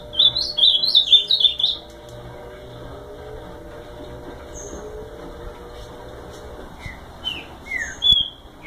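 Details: Ultramarine grosbeak giving a fast warbled burst of high chirping, bubbling notes over about two seconds. A few thin, separate whistled notes and short slurred phrases follow, over a faint steady low hum.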